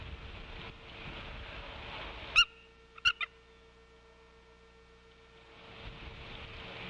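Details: Female bald eagle at the Decorah nest on 25 November 2015, just after midday, giving a soft squee: a few short high thin notes, one then a close pair, over a steady background hum.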